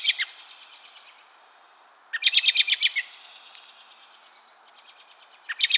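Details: American robin in the South during December, when the species is more common there than in spring, giving rapid stuttering bursts of chattering notes, each burst about a second long, separated by quiet pauses.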